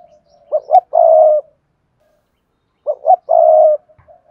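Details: Spotted dove singing in the Cườm Sa song style, praised as a fine-looking bird with a hạp bổi voice: low hollow cooing, two short rising notes then a long steady coo, the phrase given twice about 2.5 seconds apart, quiet otherwise.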